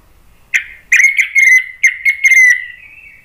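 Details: Orange-headed thrush, agitated and provoking other birds to sing: a quick run of sharp stuttered notes over a sustained whistled tone that trails off slowly.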